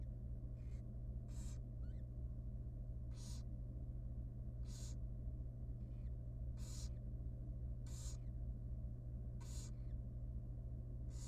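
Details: Young wild barn owl baby being fed in a monitored nest box: a rapid series of loud rasping hisses alternating with softer ones, plus a brief thin chirp, over a low steady hum.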